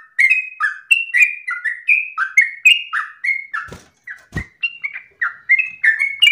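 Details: Yellow-vented bulbul in steady, long-breathed 'gacor ropel' song, meant as an easy tutor for untrained young bulbuls: quick run of bubbly slurred notes, alternately rising and falling, about three per second, with two brief thuds midway.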